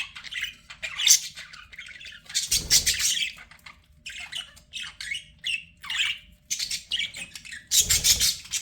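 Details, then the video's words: Separate bursts of pet budgie chirps and harsh squawks, some short and clipped, a few longer rasping notes, spaced by brief pauses over several seconds. "BUDGIE SOUNDS"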